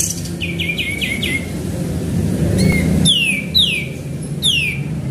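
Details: Lure recording of a sooty-headed bulbul in active song: a quick run of short descending notes, a pause, then three well-spaced loud falling whistles, with low background rumble throughout.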